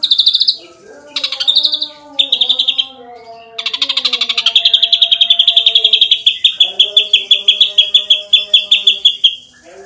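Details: Ashy drongo in energetic 'nembak rapat' masteran song: several short high pulsed phrases leading into a long, steadily pulsing trill that slows slightly toward the end, with faint low tonal lines underneath.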